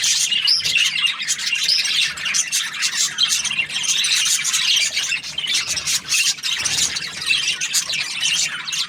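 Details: Budgerigars in a happy mood, chattering nonstop with raspy squawks and high warbled chirps overlapping in a thick chorus.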